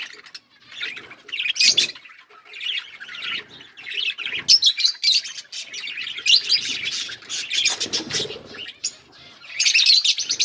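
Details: Several pet budgies eating green food keep up a steady stream of high twittering chirps and warbles, rising into louder chattering bursts toward the end.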